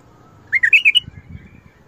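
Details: Bulbul performing a Mandali and Badra style phrase: five bright whistled notes stepping upward in quick succession, followed by low rumbling background noise.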